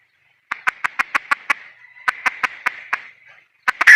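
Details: Female red junglefowl uttering two runs of rapid, evenly spaced sharp clucks over a faint hum, closing with the start of a loud harsh squawk.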